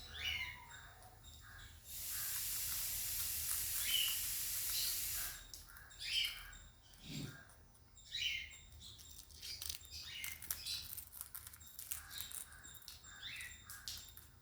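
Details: Sun conures at snack time give short, harsh, scratchy calls in quick irregular bursts after a spell of steady hiss.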